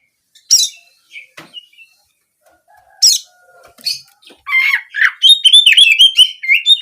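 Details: Oriental magpie-robin with nembak kenari, canary-like song used to get birds singing for daily and contest use: scattered sharp chirps at first, then a lively run of fast, rippling, whistled notes building toward the end.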